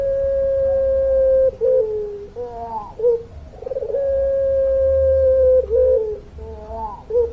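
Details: Long-voiced puter pelung dove. It repeats extended flat coos about two seconds long, each ending in a short bent note. Quieter wavering trills fill the gaps between coos, with a low hum underneath.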